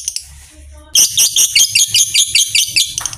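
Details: Lovebird trill meant to coax other lovebirds into long 'ngekek' chatter: a soft start, then a burst of loud, sharp, high notes repeated about twice a second in bouncy pulses.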